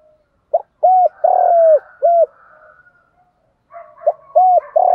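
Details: Spotted dove cooing at dawn as a lure to spark fighting: one full low phrase of clipped coos around a long, level note. After soft murmuring, a second phrase begins and is cut off at the end.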